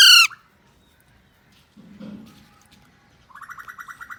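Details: Pet Alexandrine parakeet, described as a talking parrot, playing with a mobile phone: one loud harsh squawk with stacked harmonics, then quiet, then a run of soft rapid chattering notes at the end.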